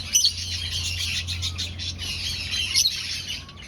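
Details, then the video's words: Breeding finches kept in an aviary colony, seeking a nest; busy high-pitched chirping from many birds, a couple of louder sharp notes standing out, over a constant low drone. "Finch Sounds"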